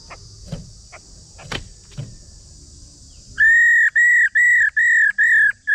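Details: A female Chinese hwamei's call, used to stimulate males into singing: a clear, level whistled note repeated about every half second, preceded by a few seconds of faint clicks and a high steady hiss.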